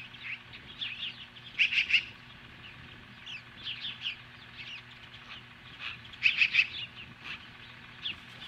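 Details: At a nest near Lolo, Montana, an osprey stands off magpies at 10:26 AM on July 15, 2015. Two loud bursts of rapid, piercing chirps stand out, with softer chirping between them.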